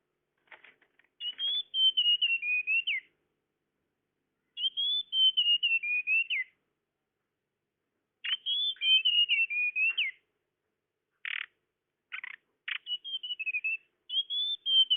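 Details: Tledekan bird sound used as a lure to attract birds: bursts of high, thin whistled notes falling slightly in steps, each phrase about two seconds, with short buzzy rasping notes between phrases; no other sounds.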